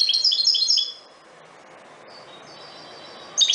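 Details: European goldfinch of the subspecies parva singing: a rapid, tinkling burst of high twittered notes lasting about a second, then a quiet gap, then thin, drawn-out tones and the start of another twittering burst at the end.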